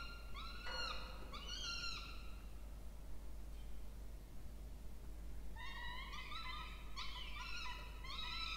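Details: Peregrine falcon chicks, two, begging at a feeding in a nest box at Charles Sturt University, Orange, New South Wales, Australia, 20 October 2024; two strained whines, a quiet gap of about three seconds, then a quick series of rising-falling wails.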